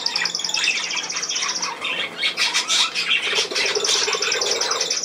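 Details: Budgerigars recorded on 10 June 2024: dense high chattering with rapid trilled, ticking phrases and short squawks overlapping throughout, a lower buzzy murmur joining in the second half.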